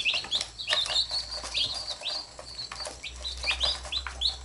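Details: Young chicks with a mother hen, biting her and being pecked back: bright, thin, upward and downward slurred peeps repeated rapidly, over a faint low hum.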